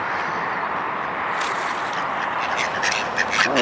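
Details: Ducks on 17 February 2012 gathering as a man prepares to feed them near an island: short, nasal quacking bursts that grow busier toward the end, over steady wind or water noise and his speech.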